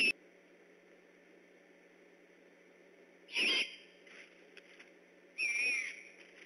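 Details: Great horned owls calling near an eagle nest at Decorah at night on 3 October 2015, birds vocal and on alert; two short raspy screeches about two seconds apart, hoarse and breathy with a faint whistled edge, over steady low background hiss.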